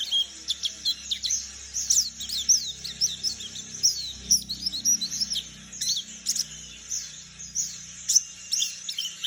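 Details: Young wild white-eye of the palas Borneo type from the forest, learning the ngeriwik twittering song: dense, high, rapid chirps and short sweeping notes, tumbling almost continuously with brief pauses.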